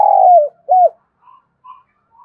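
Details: Spotted dove kích bổi cooing, a style for stirring up a decoy bird: one long, low, falling coo followed by a short arched note, then faint higher murmurs.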